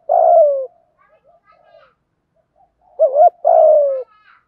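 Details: Spotted dove voice for stimulating doves, 'giọng thổ' style: a long smooth coo falling in pitch, a pause with faint murmurs, then a wavering double note and a second long descending coo.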